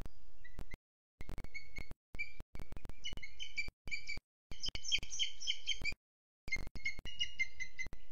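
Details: Booted eagle heard from a webcam in Sierra de Guadarrama National Park, 12 June 2022 at 07:20: bursts of short, high, ringing harmonic chirps that grow denser and louder midway, broken by abrupt silent dropouts.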